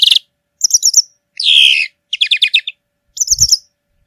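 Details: A European greenfinch (Chloris chloris) sings in nature with short rattling trills alternating with a single downward-sliding buzzy note.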